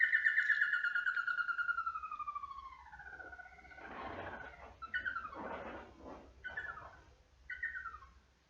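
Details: A tapaculo in southeast Brazil sings a song that carries across the valley: a fast run of whistled notes sliding steadily downward in pitch over about three seconds. Rough, noisy bursts follow.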